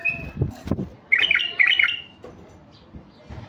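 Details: Male Iraqi bulbul, a mutation bird used to call in wild bulbuls. Low knocks and a thin whistle come first, followed by two close bursts of sweet, rolling chirps.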